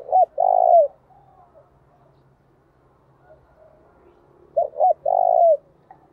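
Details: Spotted dove kept as a lure, calling gáy thúc and gáy gọi to excite wild doves. Two loud cooing phrases, each two clipped notes then a longer throaty coo, come about four seconds apart, with soft coos between.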